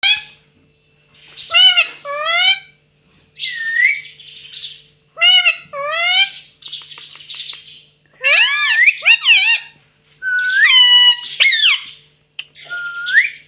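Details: Talking pet ring-necked parakeet chattering: shrill, repeated upslurred and downslurred squeaks, buzzy rasps and harsh screeches in irregular bursts, with a faint steady hum behind them.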